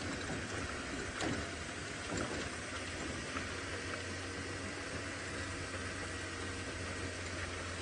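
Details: A steady low rumble of a vehicle engine with broadband hiss throughout and a few brief knocks, with no animal voice heard.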